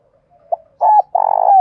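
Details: Spotted dove in the thổ pha and hạp bổi voice, called to draw rivals to fight; a soft lead note, a double-humped coo, then a long rippling coo that ends in a drawn-out downward slur.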